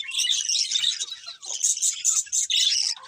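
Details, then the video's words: Budgerigars chirp in a bright, dense twittering warble, pausing briefly in the middle before a run of sharp squeaky notes. "Budgies Chirping Sounds"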